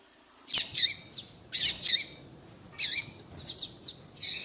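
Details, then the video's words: Female double-collared seedeater giving calls that attract males, favoured in breeders' female-call tournaments; loud high chirps in pairs, a quick stutter of ticks, and a closing buzzy note. "fêmea de papa capim chamando levanta até defunto seu papa capim vai ficar louco !"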